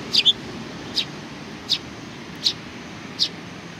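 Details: A sparrow greeting call recorded on 27 July 2020: a quick double chirp, then single high chirps repeated roughly every three quarters of a second, evenly spaced, over a soft background hum.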